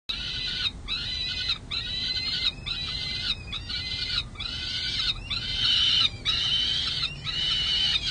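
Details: Peregrine falcon chicks at San Jose City Hall, May 2022, clamouring for lunch while an adult inspects the nest: harsh, rasping wails in a rough chorus, bursts running about a second each with brief gaps, calls overlapping.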